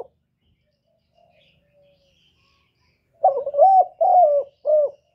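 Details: Spotted dove cooing after a quiet stretch, with three low, hollow notes in quick succession, the middle one the longest and most wavering. No other clear sounds.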